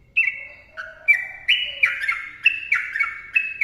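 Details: Lively yellow-vented bulbul song, recorded as a tutor and lure for other bulbuls: short, rich, slurred whistles that bounce between higher and lower notes in quick bursts, with a brief lower warble near the start.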